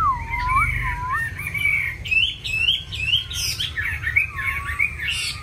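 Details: Chinese hwamei, a kept songbird with many wild-style voices: a low dipping whistle, then busy high warbles and quick slurred notes, with some harsher squawky sounds, over constant low hum.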